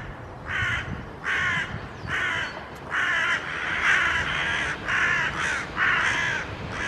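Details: A crow flying toward a tree near a person scolds it with harsh, grating caws. About eight rough calls come in a steady series, one every 0.7 seconds or so, over a constant noisy background.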